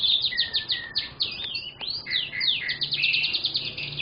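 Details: Young canary in dense, unbroken song: rapid looping whistles, rolling trills and sharp up-and-down sweeps, with notes tumbling quickly one after another and a faint low hum underneath.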